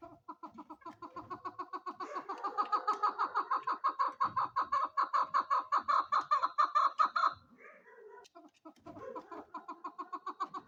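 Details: Female chukar (chakor) uttering a long rapid series of clucks that swell in loudness, break off briefly near seven seconds, then resume more softly.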